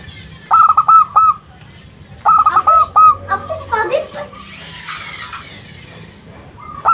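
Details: Zebra dove of a local strain sings a lure song meant to draw answers: two runs of rapid, clipped coos, then a jumble of harsher bird chatter and noise.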